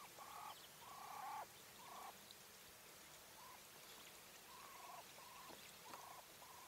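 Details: English White Coturnix quail hen, female, calling in a loose series of flat, level mid-pitched notes. Some notes are short, others drawn out with a slight drop at the end. They come roughly once a second at uneven intervals over steady faint hiss.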